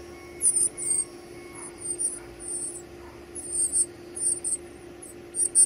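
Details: Chicks being fed utter thin, very high squeaky begging notes in irregular short bursts, with a few faint steady tones and a low hum in the background.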